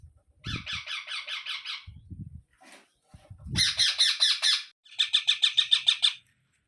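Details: Three bursts of rapid, buzzy squawking from a baby parrot, each a tight string of short harsh notes, separated by low knocking thumps and brief pauses.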